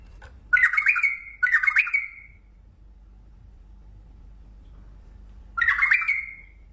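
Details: Mandali bulbul giving three bright, bubbling warbled phrases, two back to back and one after a four-second pause, with a light background hiss.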